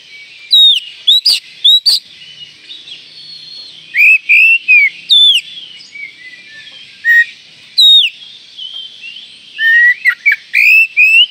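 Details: Oriental magpie-robin call said to trigger other magpie-robins within seconds: loud sharp downslurred whistles in clusters separated by softer warbling, with a quick series of ringing notes toward the end.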